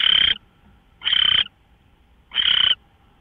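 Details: Owl, 5:27 AM, 24 March 2013: three loud, rasping hisses, each about a third of a second, spaced roughly one to 1.3 seconds apart, quiet between.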